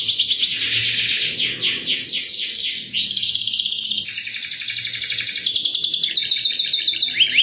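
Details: Canary singing lure chirps meant to prompt other canaries into song: a continuous, loud, high-pitched flow of rolling trills, buzzy rattles and rapid repeated notes, shifting between phrases every second or two without pause.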